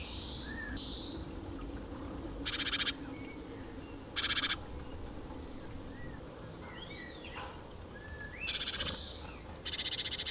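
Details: Eurasian magpie at the edge of a small pond in central France, Nouvelle-Aquitaine, late April 2017, scouting as a predator: four short, harsh, rattling chatter bursts spread over ten seconds, with thin whistled notes from other birds and a low background hum.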